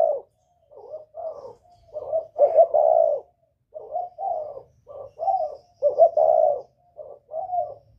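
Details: Northern-type spotted dove with a whistle-like voice, calling to stir up wild doves: a steady run of short low hooting coos, some doubled, swelling into a longer drawn coo at the middle and end.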